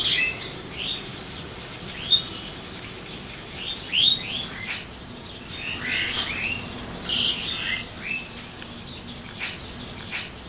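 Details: An Asian pied starling (pied myna) sings loudly in a backyard early in the morning: a loose jumble of squeaky, chattering and whistled notes, mostly high-pitched, delivered in irregular bursts with brief pauses.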